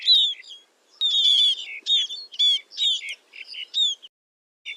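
Scaly-breasted munia giving high, thin whistled notes that slur downward with a buzzy edge, in about seven quick bursts under five seconds.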